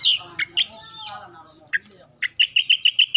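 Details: Oriental magpie-robin song meant to get other birds singing: scattered whistled notes and a buzzy phrase, ending in a fast, even series of sharp chips repeated about five times a second.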